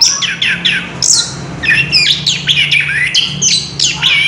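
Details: Orange-headed thrush singing a rapid rolling medley of downslurred whistles and sharp chirps, phrases tumbling one after another without pause, with a faint low hum underneath.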